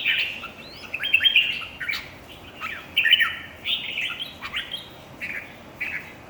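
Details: Competition singing by a red-whiskered bulbul: a run of short, lively whistled phrases with quick slurs and clipped notes, delivered in bursts roughly every second.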